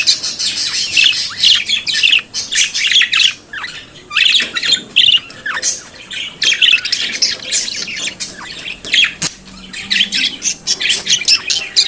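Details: Pet budgerigar chattering and singing in a long run of rapid scratchy chirps and buzzy warbles, bursts of one to two seconds broken by short gaps, steady faint hiss behind.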